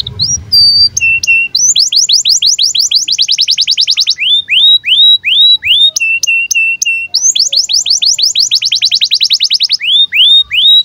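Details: Canary giving birahi chirps as tutor song for young canaries: clear level whistles, fast rippling trills of high pips, and strings of down-slurred notes, the pattern repeated twice.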